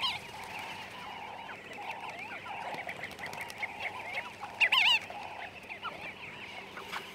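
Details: Namaqua sandgrouse in a big group in arid dune habitat. A constant babble of many throaty, warbling calls, with one louder, wavering close call standing out near the end.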